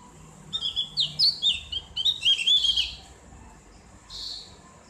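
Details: Javan grey-throated white-eye with open ngriwik-style singing meant as therapy: a quick string of bright high twittered notes for about two seconds, then a soft buzzy note.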